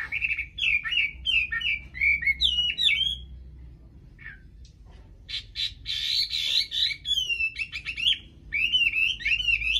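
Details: Chinese hwamei singing naturally without a female nearby: bursts of loud, varied whistled phrases, slurred and repeated, with harsh buzzy notes and sharp chirps mixed in, broken by a short pause midway.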